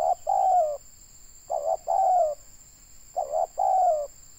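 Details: Local spotted dove calling during bird trapping: low cooing phrases, each a short note followed by a longer slightly falling coo, repeated three times at steady intervals, with a steady high electronic tone throughout.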